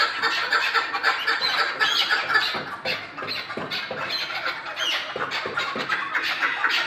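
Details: Chukar partridge giving a long run of scratchy, squawking chuck notes, fast and somewhat irregular, some louder bursts standing out over the steady clucking chatter.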